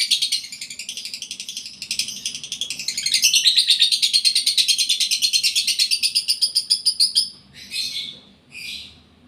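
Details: Rapid, rattling lovebird chatter from a bird in breeding condition: a long fast pulsed trill of harsh notes, about three a second, ending in two separate rasping bursts.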